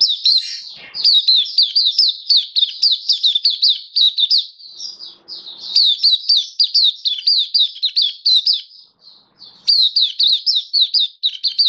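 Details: Oriental white-eye in a cage singing buka sing, recorded 27 October 2022: sustained runs of fast, high, sharply slurred chirps in long bursts separated by brief pauses, very clean and loud.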